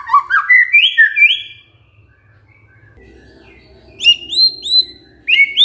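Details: White-rumped shama lure song to get a sluggish bird singing: a short run of rising and falling whistles, a quiet gap, then high clear downslurred whistles and a final rising note.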